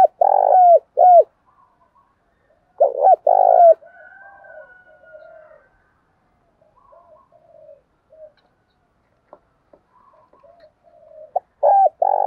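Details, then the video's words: Spotted dove giving loud rounded coos in short bursts, followed by softer drawn-out notes and scattered quiet calls, then the loud coo phrase returns at the end. "cu gáy giọng thổ Thúc + Gáy Gọi + hạp bổi + giọng to"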